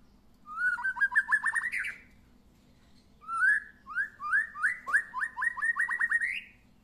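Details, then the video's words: Freshly moulted white-rumped shama, out for its first sunbathing, sings rapid fluty trills: two long phrases of quick repeated whistled notes, each climbing slightly at the end, the second preceded by short slurred whistles. "Murai batu habis mabung pertama kali kena jemur"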